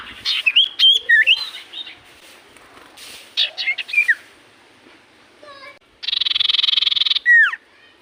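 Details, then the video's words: Common iora in full song: quick chirps and bouncing whistled notes in two bursts, a few soft notes, then a second-long buzzy trill capped by a loud downslurred whistle. "Burung sirtu cipoh gacor hitungan detik burung cipoh apapun pasti Langsung nyaut"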